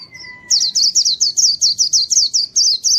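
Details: White-eye song used to lure wild birds: a fast string of high, sharply descending chirps repeated about four times a second, after a brief thin whistle at the start.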